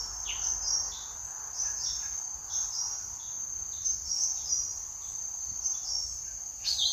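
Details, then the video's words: Small green leafbird song used for luring birds, given as a series of short, quick chirps and whistled notes repeated roughly every half second over a constant high, shrill insect-like drone. "cucak ijo mini mudah belajar buat pikat"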